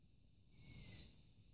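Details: A long-eared owl chick begs for food from a rooftop at night. One piercing, high-pitched squeak lasting about half a second, falling slightly in pitch, against a soft low hum.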